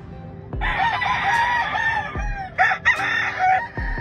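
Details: Grey Kelso Albany rooster on a farm crowing: a loud, harsh, drawn-out crow lasting over a second, then a second broken crow, over steady background music with thumping beats.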